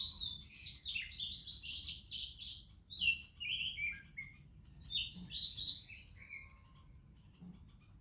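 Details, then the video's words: In the morning in India, an Oriental magpie-robin sings among other birds: dense runs of bright, slurred whistles and chirps for about six seconds, fading into quieter notes at the end. "ROBIN Chirping in the Morning"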